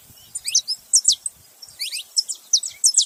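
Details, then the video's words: A pair of saffron finches, male and female, making noise together: clusters of sharp, high slurred chirps with short pauses, plus faint low thumps. "canário da terra macho e fêmea junto fazendo barulho"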